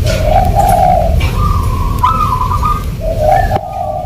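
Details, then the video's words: Local zebra dove singing in the irama style: a low steady coo, a higher wavering phrase with a short rising lift, then the low coo again. A constant low rumble runs underneath. "PERKUTUT LOKAL IRAMA"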